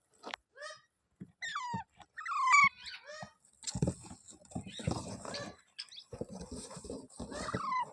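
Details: Pet rose-ringed parakeet, a ringneck kept at home in India, giving sharp harmonic screeches that bend downward, several in quick succession, followed by rustling, chatter-like mumbling and background noise.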